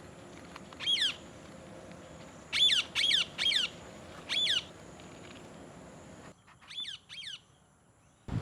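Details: A parrot among others, one eating an apple, repeats short raspy screeches, a single call, then a fast run of three, another call, and two softer ones at the end.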